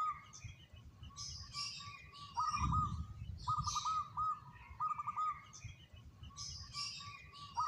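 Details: Zebra dove (Geopelia striata), local perkutut, song: soft, rapid stuttering coos in short bursts every second or so, with higher chirping from other small birds and a low background rumble.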